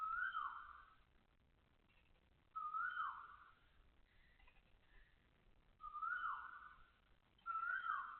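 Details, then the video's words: An Asian koel at Toa Payoh Lorong 8, Singapore, at 6:30 am on 20 October 2025, gives four loud, ringing two-note calls, each rising then dropping, spaced a couple of seconds apart over a quiet background. "Loud koel noises"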